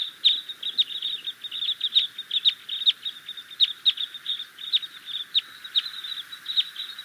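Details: Red crossbill calling: crisp, high 'kip' notes repeated two to three times a second in an uneven rhythm, over a faint low background rustle.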